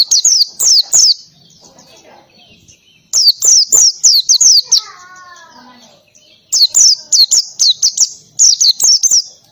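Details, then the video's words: Oriental white-eye, loud ngalas-style song with canary phrases. Bursts of rapid, high, sliding whistles are separated by short pauses, and a softer, lower warbled sound appears in one gap. "PLECI NGALAS,TEMBAKAN KENARI SUPER RIBUT"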